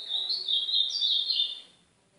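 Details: Northeastern-style ultramarine grosbeak song used for training a young pet bird: one continuous, fast, high-pitched warble of slurred notes lasting under two seconds, then fading to silence.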